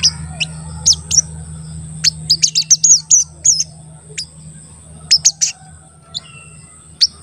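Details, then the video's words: Crested jay, a lure recording used to provoke other crested jays into calling and excitement, also for trapping wild birds; brief high sharp chirps and squeaky notes in scattered bursts over a steady background hum. "Pancingan Sogon Agar Bunyi dan Emosi, Sogon Bahan Auto Nyaut dan Cepet Rajin Bunyi"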